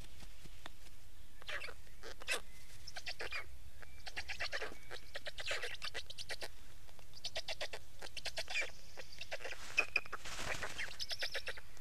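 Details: Long stretch of Black stork sound: repeated grating, breathy bursts, several running into rapid ticking sequences, separated by brief pauses, with faint background hum.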